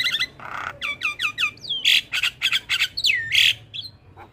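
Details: Black-winged starling master song for training: a run of repeated downward whistled notes, then loud buzzy squawks and a long descending whistle, in a dense, energetic phrase.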